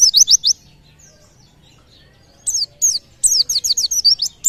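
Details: White-eye, called pleci, in song said to trigger other birds to sing: a quick burst of high, sharp repeated chirps, a long quiet pause, then rapid clusters of piercing twittering notes.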